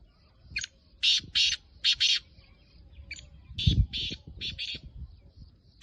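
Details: Black francolin, a home-bred captive bird, calling in loud harsh rasping bursts, several grouped together then a further broken series, over steady low background noise and some thumps.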